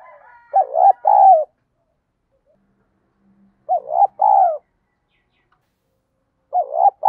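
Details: Spotted dove singing in the 'field voice' style, a fighting lure: three low hooting coo phrases at an unhurried pace, about three seconds apart, each a short wavering note then a longer steady hoot, in a quiet setting.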